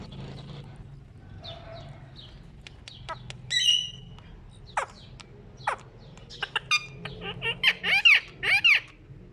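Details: Pet ring-necked parakeet playing at a mirror: scattered short chirps and clicks at first, then louder harsh, ringing calls with rising-falling arches, several in quick succession near the end, over a low indoor hum.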